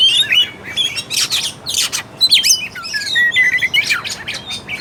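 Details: Oriental magpie-robin singing, meant to stir a lazy or unaggressive bird: a jumble of quick whistled notes, upslurs and scratchy chips, with a thin steady whistle near the end.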